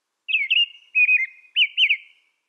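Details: Three bright caroling phrases from an American robin, each a slurred whistle that rises and drops, delivered at an even pace against silence.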